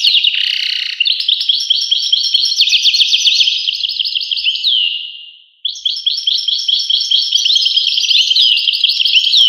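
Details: European goldfinch twittering rapidly with buzzy and liquid notes; the song fades away around five seconds, pauses briefly, then restarts just as fast and bright.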